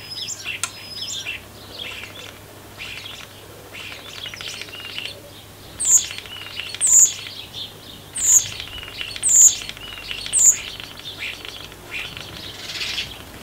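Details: In breeding season, a starling on top of garden feeders sings a rambling medley of chattering, clicks and wheezy notes, punctuated about once a second by sharp high whistles, with mimicked snatches, possibly jackdaw and wren.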